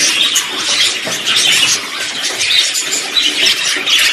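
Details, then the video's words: Budgerigars chatter in a mix of simple songs, contact calls and courtship songs: a dense, continuous warble of high, scratchy chirps and squeaky notes, several birds overlapping with no pauses. "NINGÚN PERIQUITO SE RESISTE A ESTE AUDIO II: cantará, causará cortejo y se sentirá en compañía"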